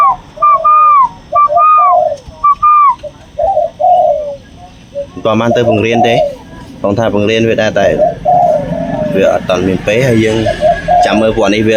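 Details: A young captive zebra dove chick, leg tied and not yet trained, with a big loud voice, gives clear trilling coos and short rising notes in a steady sequence, then continues under a man talking nearby.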